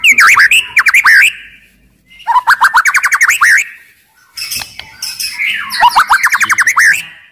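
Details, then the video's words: White-rumped shama used to trigger other shamas into song and fighting, calling loudly. Three bursts of rapid descending trilled notes are each followed by short pauses, and the sound is strong and ringing throughout. "MURAI BATU GACOR , CEPAT MERANGSANG BUNYI, GACOR & FIGHTER"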